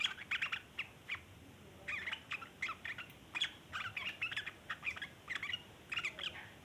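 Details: Long chattering of a sooty-headed bulbul, the 'ngeriwik' style used as a lure for bulbuls: rapid rough note clusters repeated steadily across the whole stretch, with brief gaps between bursts.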